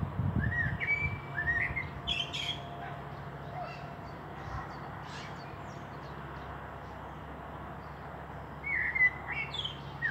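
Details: Blackbird song from Meschede, Germany, 18 May 2021, a fieldfare pair also present: fluted warbles and scratchy high notes in the first three seconds, a long quiet gap, then another short phrase near the end.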